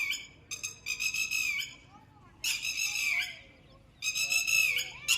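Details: Red-wattled lapwing (Vanellus indicus) giving loud, shrill, harsh alarm notes in rapid bursts, repeated over a few seconds, with faint background hum, at a plot at sunset in calm weather with a light breeze after rain; eggs or a small chick possibly nearby.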